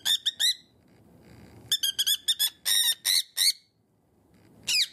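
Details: Indoor pet cockatiel shrieking on seeing its owner's fingers, a habit linked to biting and the owner's pained reaction. Three quick grating screams, a short gap, a run of about nine louder harsh calls, then one final descending shriek.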